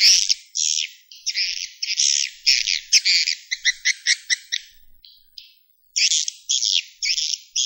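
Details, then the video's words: High buzzy chirps and a quick stuttering trill from a swiftlet at roost, with phrases broken by short pauses. "Suara Inap Walet"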